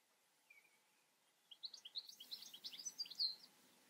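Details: European goldfinch song: a faint thin note, then a rapid tumbling run of high twittering, tinkling notes lasting about two seconds, in quiet outdoor surroundings.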